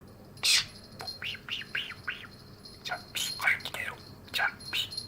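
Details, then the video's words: Male budgerigar, nine years old, kept as a pet indoors, chatting while its owner does year-end cleaning: rapid mix of arched warbles, sharp chirps and scratchy notes, with a faint steady high tone in the background. "Chappie the budgie soothes me by chatting while I'm cleaning up"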